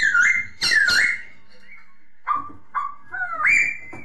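A masked laughingthrush gives loud, clear whistles, first a rapid rising-and-falling burst, then short separate notes ending in a long upswept whistle. A faint low background hum runs throughout.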